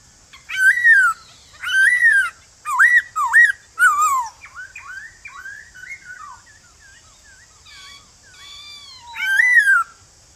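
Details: Male White-cheeked laughingthrush calling in the morning with a forest-voice song to stir newly caught birds into singing. Four bright, swooping whistled phrases, then softer twittering runs, then another loud whistle. Faint steady hiss behind.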